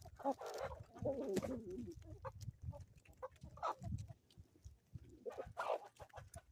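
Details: Chickens on a homestead in the Ozarks on a morning, giving short harmonic clucks in loose bursts, with a rumbling low background of farmyard noise and scattered knocks.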